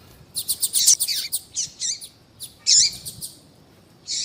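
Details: High, thin chips and rapid ticks from a female Yellow-bellied Seedeater calling to stimulate males, a quick string of notes followed by a few louder separated chips.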